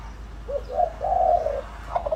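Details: Spotted dove used as a lure bird, giving a short soft lead note followed by a drawn-out, wavering hollow coo, then the start of another phrase.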